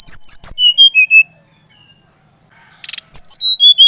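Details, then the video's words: Brown-chested jungle flycatcher from Bali singing loudly: a fast run of clear whistled notes stepping down from high to lower pitch, a pause, then another descending whistled series with a brief rasp between. "Kicauan SRDC Bali Gacor Merangsang srdc Bahan agar cepat Ngeplong Gacor"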